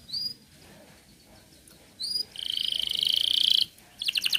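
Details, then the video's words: Canary in full song, used to prompt young or silent canaries to sing: short upswept whistles, then a fast, bright, buzzy rolled trill of over a second, ending in sharp chipping notes. "Kenari gacor cocok pancing burung bahan & macet bunyi"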